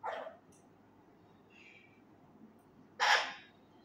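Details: Male Indian ringneck parakeet kept indoors and learning phrases: a short, rough syllable at the start, a faint thin whistle, then a loud, harsh screech near the end. There are quiet gaps between the sounds.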